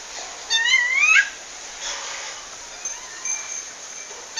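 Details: Wild female rufous-bellied thrush in Pernambuco, Brazil, calling a male: one loud, rising, slurred whistle with strong harmonics near the start, then only faint distant notes and soft background hiss.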